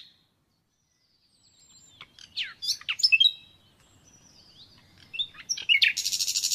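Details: Natural nightingale song heard in separate bursts: scattered sharp, sweeping chirps and whistles after a silent start, then a dense, fast buzzy rattle of repeated notes at the end.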